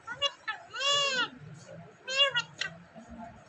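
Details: Pet talking parrot in Vehari, Punjab, Pakistan, giving speech-like words: short harmonic syllables, then a longer arched, voice-like phrase and a second quick burst. A steady low hum runs underneath.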